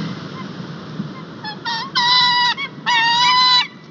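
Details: Wild White-tailed Eagle at an Estonian nest on 21 March 2021, male arriving with a fish and calling his mate to collect breakfast; a few short yelps, then two drawn-out, harsh, honking notes over faint background hiss.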